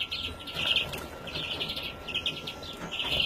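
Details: European greenfinch youngster, 2017: a near-continuous chatter of quick, high twittering notes, rising and falling in short runs over a soft background hum.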